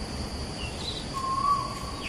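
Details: A single upward-sliding whistled note from an Asian koel, recorded 14 September 2021 at Bukit Batok East beside Bukit Batok nature park, with faint higher bird calls and constant background hiss.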